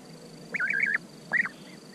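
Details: Two rolling, trilled European bee-eater calls, the first a drawn-out warbling run and the second a short single rolled note, against a low background hiss.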